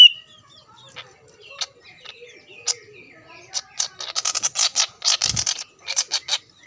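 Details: Greater green leafbird in full song, used to provoke rival leafbirds into singing: scattered thin whistles and chips building into a dense run of rapid, buzzy, high-pitched chattering notes.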